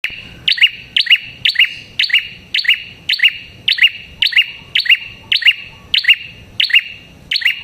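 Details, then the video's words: Red-headed prinia song, used as a lure to attract prinias: loud, sharp chirping bursts repeated steadily, about two per second, each a quick double note, over faint low background noise. "Suara Burung Prenjak Kepala Merah Gacor Ampuh untuk Pikat Prenjak & Pancingan Prenjak"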